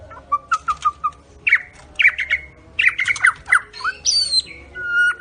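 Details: Medan white-rumped shama singing: a series of short clipped notes, then harsher squawky phrases and a rising sweep into a long high whistle, with low hum behind.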